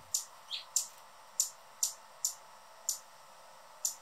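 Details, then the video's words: Male Anna's hummingbird guarding his favourite feeder perch, quite noisy: sharp, very high, clicking chips, eight in about four seconds at uneven intervals, over a faint steady background hum. "Anna's Hummingbird sounds calls chirping"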